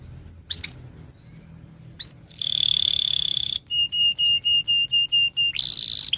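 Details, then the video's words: Canary singing a long, energetic song used to stimulate other canaries: a few brief chirps, then a loud buzzy high trill, followed by a run of rapid, evenly repeated whistled notes and another buzzy burst. "kenari gacor panjang Cuit Cuit EMOSI, Pancingan Kenari Paud Belajar Bunyi"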